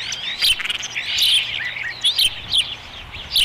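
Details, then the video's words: During the third feeding at the Dunrovin Ranch nest on 30 May 2016, an osprey gives shrill, sharply downslurred chirps in quick irregular series, a few each second, over quiet outdoor background. "Dunrovin Ranch Osprey Nest Video 2016 05 30 131957 3rd Feeding"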